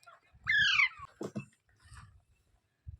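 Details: Parrot producing one loud, harsh, falling squawk, followed by low thuds, soft rustling and faint murmuring.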